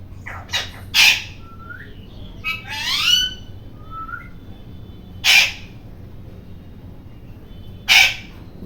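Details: Noisy rose-ringed parakeet giving harsh, broadband screeches, four loud bursts spaced irregularly over nearly nine seconds, with a few softer rising squawks and short level whistled notes between them.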